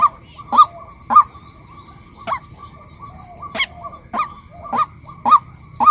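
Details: Female white-breasted waterhen giving short, nasal, upslurred notes in an uneven series, with brief pauses between bursts of calls, over a faint steady hum and low background rumble.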